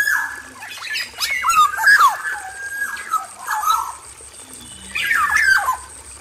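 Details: Caged male black-naped oriole in an aviary, calling a female: clear whistled notes and sliding nasal squawks come in two bursts separated by a quieter gap.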